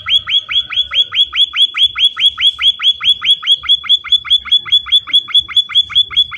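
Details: Munia, locally called emprit or pipit, calling energetically to lure other munias into answering back; a fast, very steady run of short, high, slightly falling chirps, about two and a half per second, over a faint low rumble.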